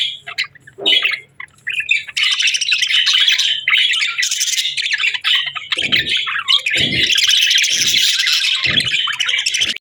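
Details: Several budgerigars on a calm morning. A few scattered squeaks build into a long, loud stretch of busy warbling chatter, broken by soft low thumps.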